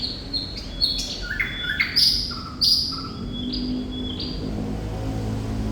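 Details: Thrush nightingale singing: short whistled phrases stepping down in pitch, two sharp loud harsh bursts, then a run of level high whistles, with constant low background hum.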